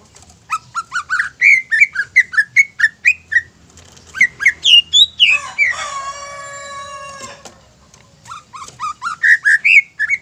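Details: Greater green leafbird in loud, rapid song: repeated sharp whistled notes rising and falling, then a drawn-out harsh, nasal descending squawk, followed by renewed bright chirping phrases.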